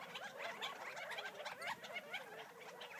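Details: Gambel's quail foraging in the wild near Florence, Arizona, giving a busy chatter of quick soft notes, some slightly rising, with a few thin higher chips above.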